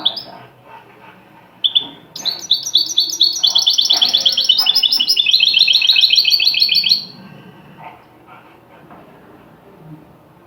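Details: Tutoring phrase of a goldfinch in the original Tunisian style: a sharp note, then about five seconds of dense, high, rapid twittering trills that stop abruptly, followed by faint low background noise.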